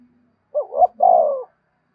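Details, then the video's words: "Gáy thúc" coo of a spotted dove, played for captive birds to sing along all day: two clipped rising notes followed by a sustained, slowly falling hollow coo, with a faint low hum beneath. "Tiếng chim cu gáy thúc cực đỉnh, mở lên bổi nghe gáy theo cả ngày"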